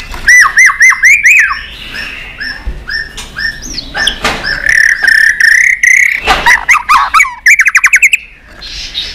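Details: Many-voiced competition singing by a white-rumped shama: repeated rising whistles give way to a drawn-out wavering whistle, then loud harsh bursts and a very fast rattled trill before it fades.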